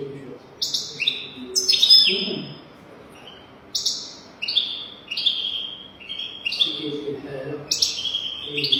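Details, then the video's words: European goldfinch singing on a recording used to train young goldfinches. Short, bright, downslurred chirp phrases repeat roughly every second, with a faint low murmur in the background. "تغريد رهيب طائر الحسون حفاضة لتعليم طيور الحسون بدون أخطاء"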